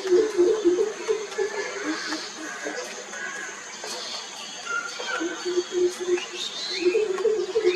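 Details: Greater coucal calling: deep, hollow, rapidly repeated booping notes in a steady series at the start and again near the end, with murmuring voices and other background noise between.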